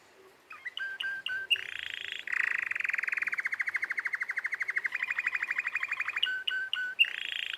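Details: Canary singing: short chirped notes lead into long, fast rolling trills with changes in pitch partway, then more clipped repeated notes and a final bright trill.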